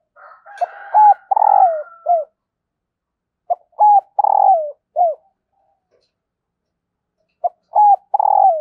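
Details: A female spotted dove repeats her call meant to set males cooing. Phrases of short note, hoot, long buzzy falling coo and curt ending recur every few seconds, the first overlapped by a fainter rising call.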